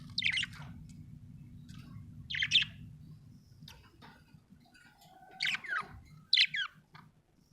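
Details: Soft, bright chirps from a happy budgerigar come in short, separate bursts, some with quick rising and falling slurs, over a quiet low hum.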